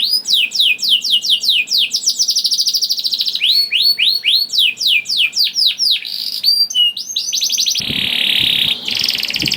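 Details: Juvenile canary lure song, meant to set off other canaries: varied high tours of rapid down-sweeping notes and rolling trills, closing with a noisy buzzy passage.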